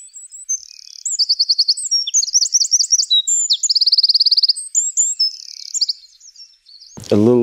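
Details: A wren pours out a loud, high, fast song of sharp notes and its characteristic buzzy rattling trill for about seven seconds, followed by a brief burst of a man's voice.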